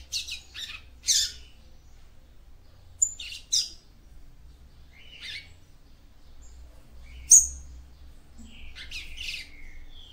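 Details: Female yellow-bellied seedeater singing to arouse a male, with short clusters of high, thin chirps and buzzy notes separated by pauses of one to three seconds, and a single sharp high note near the end.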